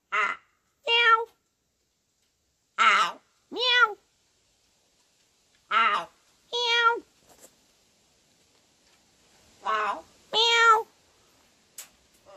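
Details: Caged pet blue macaw copying a cat's meow indoors: short, harmonic mew notes, often in close pairs, repeated every few seconds with quiet gaps, and a person's voice calling kitty nearby.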